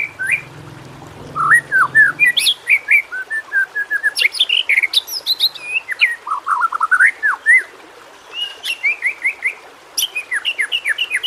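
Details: White-rumped shama singing a training track for lazy shamas: a low hum at the start, then a dense run of varied whistles, slurred rising and falling notes and sharp high chips, briefly pausing before resuming.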